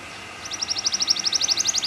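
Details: Canary song in a long, fast rolling style, played to train other canaries to sing: a rapid series of high, bright notes repeated about eight times a second, starting after a short quiet gap.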